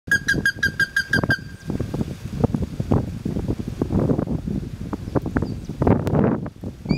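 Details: Plumbeous ibis (Theristicus caerulescens) gives a quick burst of about eight loud, ringing whistled notes, then heavy wind rumble and handling noise.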